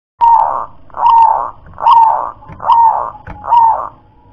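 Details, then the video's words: Wild local zebra dove with the 'kong klar-ke-tek-kong' song style: five low, hollow coo notes, each about half a second long, evenly spaced almost every second. "perkutut lokal warisan suara KONG‼️KLAR-KE-TEK-KONG"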